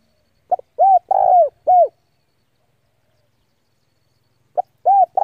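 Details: Spotted dove decoy luring rival doves in to fight, a clean phrase of a short note and three soft descending coos with a longer middle coo, followed by the start of the next phrase in quiet surroundings.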